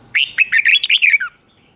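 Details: A Red-whiskered bulbul gives one brisk morning training song: about eight clipped, bright whistled notes, rising and falling, packed into just over a second and ending on a lower downslurred note.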